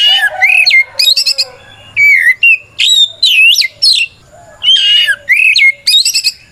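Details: Oriental magpie-robin delivering long, unbroken challenge song to provoke rivals into replying: rich, varied whistles, rising and falling slurs and rapid trilled notes in dense phrases with brief gaps.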